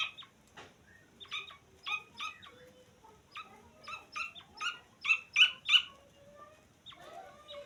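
Grey francolin chicks give thin, high peeping chirps in quick bursts of two or three, about three per second, rising to louder squeaks near the end.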